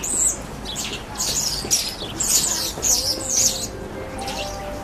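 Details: A flock of common starlings at Yaroslavsky railway station in September 2013 chatters in high, dense bursts of squeaky whistles, clicks and rasps, about two a second, over a faint low mechanical hum.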